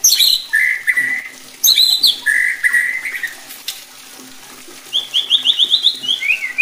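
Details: White-rumped shama song used to excite other shamas: rich low whistles repeated twice, a quiet pause, then a fast descending series of high buzzy notes.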